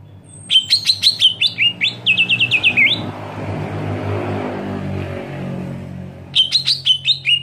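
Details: Screaming greater green leafbird, a call meant to provoke rival leafbirds: two-second volleys of rapid, shrill, downslurred notes, a run of even repeated strokes, a noisy lull with low rumble, then another quick shrill volley.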